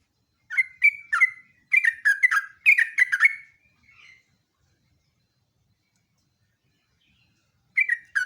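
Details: Lively sooty-headed bulbul (jogjog/trucuk) song for luring and tutoring birds: a string of about ten short chirpy, bubbly whistled phrases in quick succession for three seconds, a faint trailing note, a long silence, then a fresh burst starting at the end.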